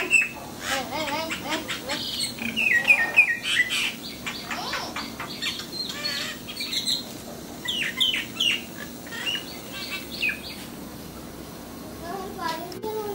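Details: Sri Lankan mynas at a home doorstep, chattering in a long stream of mixed whistles, wavering slurred notes and harsh chirps, busiest early then sparser, with quiet human voices at times.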